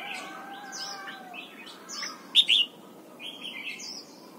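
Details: Red-whiskered bulbul singing in the morning while being trained to sing a double-note wild-style song: short warbled, whistled phrases with a loud paired chirp midway, then softer notes, over a faint low hum.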